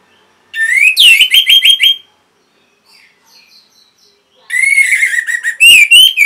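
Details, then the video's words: Vigorous song of an orange-headed thrush, played to train and stimulate caged birds: a rising whistle leading into a fast repeated series of bright notes, a pause with faint sounds, then a long rich whistled and rolling phrase. "MASTERAN & PANCINGAN ANIS MERAH GACOR INI ATASI BURUNG MACET BUNYI"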